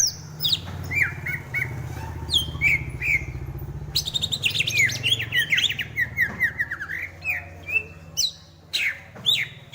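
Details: Greater green leafbird pouring out a busy, varied song of quick chirps, slurred whistles and short trills, phrases tumbling almost without pause against a constant low rumble.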